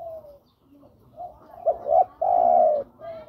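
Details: Male-style cooing of a spotted dove summoning a female, used as a lure for other birds: quick paired short coos lead into a sustained, strong, falling coo, then a softer trailing note, with low murmuring in the background.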